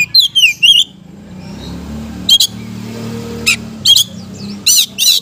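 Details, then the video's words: Oriental magpie-robin, a kacer used to get idle birds singing: brief twisting whistles at the start, then widely spaced harsh chips and rasps over steady low background rumble. "KICAU KACER GACOR‼️ cocok untuk ngetrek kacer malas bunyi || ga tunggu lama langsung ikut gacor."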